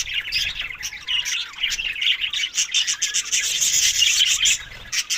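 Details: Budgerigars eating summer food in May to June, tagged Larkana, Sindh; dense high warbling chatter runs almost without pause, with sharp clicking and scratching sounds mixed through it.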